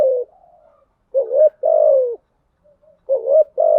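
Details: Spotted dove decoy calling, styles 'thúc gù' and 'gáy gọi', used to lure doves: mellow cooing in short pairs, a brief rising note and a longer sliding-down hoot, repeated about every two seconds.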